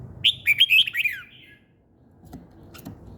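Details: Morning birdsong, a single fast tumbling phrase of sharp high twittering notes sliding down at the end, followed by near silence with a few soft ticks.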